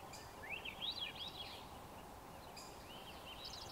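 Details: Swainson's thrush singing its ascending flute-like song, phrases spiralling upward in pitch, two phrases in under four seconds, over a steady wash of background noise.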